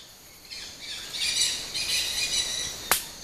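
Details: A flock of dusky-headed parakeets at a traditional clay lick on the Rio Arajuno bank, Napo, Ecuador, gives a continuous wash of overlapping, shrill, scratchy chatter, ending with a sharp clack.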